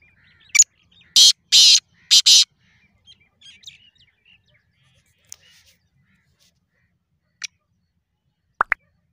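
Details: Black francolin (kala or mushki tetar) calling: a short sharp click, then three loud, harsh, grating bursts in quick succession, followed by a few faint scattered clicks and quiet ticks.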